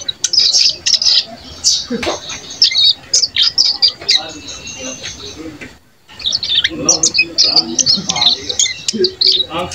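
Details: Young Bar-winged Prinia (cigun), one month old and caged, practising soft twittering (ngeriwik halus) on its third day of learning, tutored with recorded master songs; rapid high, thin chirps and twitters in dense bursts, one brief pause midway.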